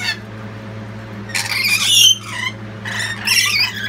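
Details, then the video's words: Loud lorikeet screeches as the family backs the last chick to leave the nest box; a long harsh burst followed by two shorter grating calls, with a low steady hum in the background. "The youngest of lorikeet chicks has just left the nestbox. Rest of the family support him loudly."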